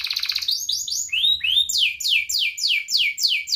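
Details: Ngerek canary song used to teach young canaries and wake up lazy singers: a brief fast trill, rising and falling curved whistles, then a steady series of loud falling sweeps about three per second.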